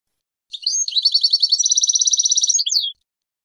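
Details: European goldfinch song for tutoring young goldfinches, 2022 season: one clean, high, rapid trill of evenly repeated metallic notes, about three and a half per second's tenth, lasting over two seconds, ending in a brief descending flourish; no other sounds.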